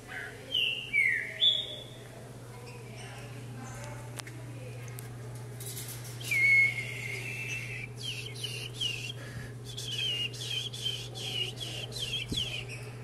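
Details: Green-winged saltator hopping on a perch during a vigour workout: clear whistled sliding phrases, a drawn-out note midway and a burst of short repeated whistles at the end, over a constant low electrical hum.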